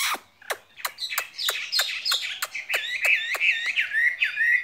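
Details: Caged skylark in Vietnam giving a varied warbled song of buzzy, rising and falling notes, interrupted by sharp repeated clicks roughly every third of a second.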